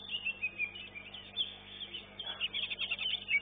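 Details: Greater green leafbird singing at a songbird contest in Surabaya; bright high twittering and short whistled notes, fairly continuous with slight background murmur.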